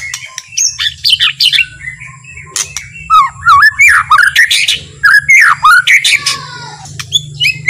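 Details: White-rumped shama singing a relaxed, slow song to provoke rival shamas: varied whistled phrases, sweeping slurs and squeaky notes in quick bursts, pauses between phrases, over a constant low electrical hum.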